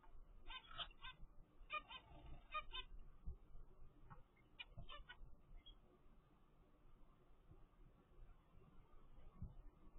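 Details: Captive-bred zebra finch chick, 15 days old, from a first clutch: three short bursts of rapid, nasal, harmonic honking calls in the first five seconds, then quieter with steady low background rumble.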